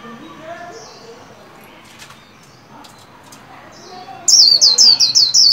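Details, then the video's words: A caged white-eye being trained to sing bursts into a loud, high, rapid warbling twitter near the end, after several seconds of quieter chirps and faint background sounds. "Vành khuyên líu hay"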